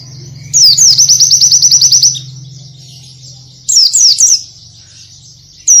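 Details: High rapid song of an Oriental white-eye, recorded as master audio for training: a fast trill of sliding notes lasting over a second, silence, then short twittering bursts.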